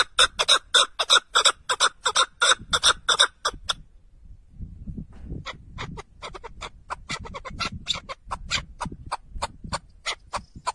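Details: Partridge, possibly grey or red-legged partridge (song described as amplified), giving harsh, grating notes about five a second: a loud burst, a short pause, then a longer, softer run over low rumble; laughter follows.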